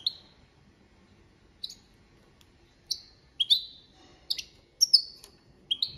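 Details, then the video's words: European goldfinch, copia malaga song: crisp, high, downward-sliding notes given singly and then in close pairs, quickening toward the end, over a quiet background. "Jilguero Cantando la copia malaga _ Goldfinch bird singing the wonderful sounds for training songs"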